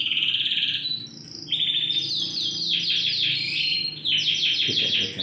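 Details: Continuous high trilling from caged Yorkshire canaries, four Romeo FOI coloured birds in Indonesia, 20 December 2020: dense rolling tours and fast repeated chips filling the whole stretch with barely a break.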